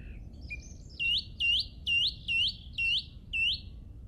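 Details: Spring birdsong recorded on an English golf course on Easter Saturday 2007: a short high lead-in, then six loud, clear, upslurred whistled notes repeated roughly every 0.45 seconds, fairly even in rhythm, above faint low rumble.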